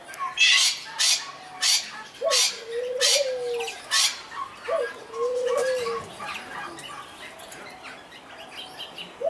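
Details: Domestic Barbary dove (Streptopelia risoria) displaying in an aviary at a city farm in Alkmaar, Netherlands. Gives two low, drawn-out coos that rise and fall, partly masked by loud, harsh, repeated chattering bursts from other birds.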